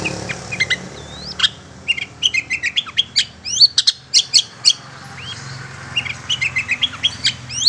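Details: Long-tailed shrike lure call used to attract and catch wild shrikes: sharp chirps and quick upward-slurred whistles in irregular bursts, mostly high-pitched, with scratchy notes mixed in over faint low background hum.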